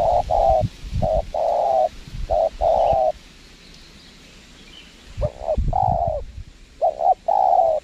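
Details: Spotted dove responding to a lure bird at a windy site; two bursts of low coos, short and long notes alternating, separated by a pause, with wind noise throughout.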